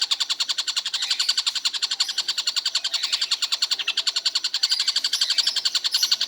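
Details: Tengkek buto calling all day without stopping; a continuous rapid series of short, high, sharp notes, about four per second, steady and unbroken throughout.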